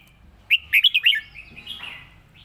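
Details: Red-whiskered bulbul giving an easy model song phrase meant to be played for teaching birds: a quick run of bright, clear whistled notes, rising and falling, then a softer slurred trailing note, over quiet background.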